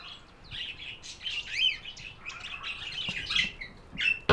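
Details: Continuous budgerigar chirping, a busy run of buzzy warbles, squeaks and short rising-and-falling whistles, ending with a sharp click.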